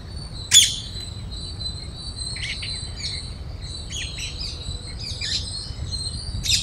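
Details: A flock of parrots feeding on grains in Cubbon Park, Bangalore, Karnataka, while a squirrel tries to join them. Scattered harsh, high screeching chirps come in loud bursts with brief pauses between, over a faint low background hum.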